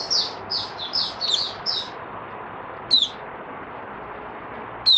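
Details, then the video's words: White-eye stabilizing its form in an opening song, 08012022: a quick burst of six high slurred chirps in under two seconds, then a long pause broken by two single sharp notes, over constant hiss. "Mata Puteh Raja Stablizing his form buka sing"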